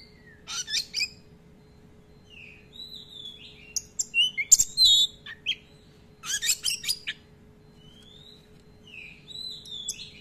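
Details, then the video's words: Oriental magpie-robin in full active song with long rolls and many filler phrases, played to provoke and tutor other magpie-robins: high sweet whistled slurs mixed with harsh scratchy bursts in clusters every few seconds, over a constant low electrical hum. "Pancingan Kacer Gacor ROLL Panjang-Panjang, Dan Lagu Isian Banyak"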